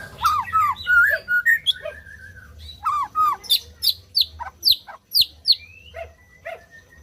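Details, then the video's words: White-rumped shama song, used to stimulate non-singing birds: looping fluty whistles, then a series of sharp, high, downward-sweeping notes spaced about half a second apart, with a faint low hum behind. "SUARA MURAI BATU BUAT BURUNG MACET BUNYI"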